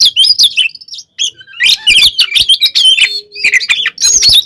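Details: Oriental magpie-robin in full fighting song, used to provoke and anger other magpie-robins: a dense, fast jumble of high whistles, sharp chirps and buzzy trills, with a brief pause near the start and a faint low steady tone later.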